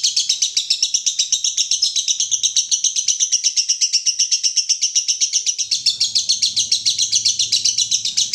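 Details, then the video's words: Lovebird in konslet style, masteran recording: an unbroken torrent of piercing, fast chirps, with a low humming noise joining from around the sixth second. "Masteran Lovebird Konslet"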